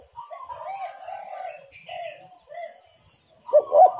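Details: Spotted dove (tekukur) calling, played as a lure to draw other birds: soft, hollow mid-pitched cooing notes in drawn-out, slightly wavering phrases separated by brief pauses, ending in a louder, rougher coo.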